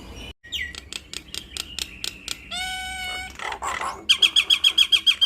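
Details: Caged Nias hill myna singing: clicking repeated notes, a drawn harmonic nasal tone, harsh noisy bursts, then a string of loud sharp whistled notes repeated rapidly.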